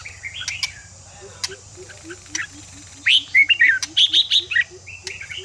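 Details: Red-whiskered bulbul singing to fire up other bulbuls: soft scattered notes give way to a loud cluster of quick whistled, swooping phrases, over a constant high-pitched hiss and a faint low hum.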